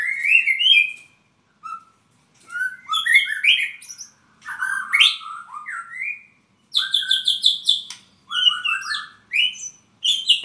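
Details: Albino white-rumped shama, Purwokerto, singing separate bursts of varied song about every second or two: sweet slurs, rapid chips and high tinkling notes with short silences between.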